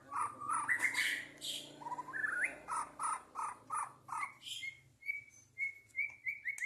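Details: Songbird contest recording from 2023 of a white-rumped shama's 'lepas trotol' song: choppy rhythmic phrases of mid-pitched whistled notes, then a run of steady clear high whistles, over a low constant background hum.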